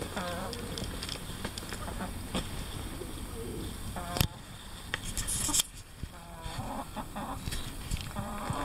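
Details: Chickens at the Priozerye bird park giving repeated clucking calls in short harmonic bursts, with pauses between groups, over a steady background hum and some rustling.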